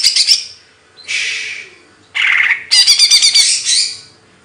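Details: Bird singing in separate bursts of rapid high twittering mixed with broad, hoarse hissing notes, one lower rasping phrase, and short silent gaps between them.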